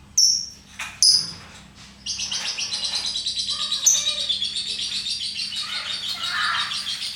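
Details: Lovebird gives two sharp shrill squeaks, then breaks into ngekek, a long fast chattering song of dense high pulsed trills that keeps going without a break for about five seconds.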